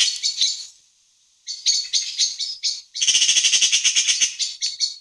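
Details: Eurasian (black-billed) magpie calling in the afternoon: harsh, dry chattering, a few rasping notes, a brief pause, then a fast rattling burst of about a dozen clacks.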